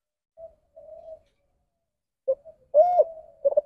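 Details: Spotted dove in the ndanglong variant, a call that strays from the standard form. Soft short hums and isolated notes build to a loud arched coo, which is followed by a rapid stuttering tail.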